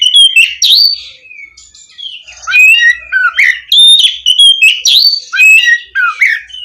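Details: Continuous Oriental magpie-robin song, played to stimulate a bird that has stopped singing: varied loud whistles, slurred sweeps and short buzzy phrases delivered almost without pause.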